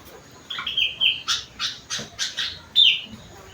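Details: Sooty-headed bulbul trained on rengganis and cucak wilis material: a short falling whistle, then five harsh rasping notes in even rhythm, closed by another high whistled note.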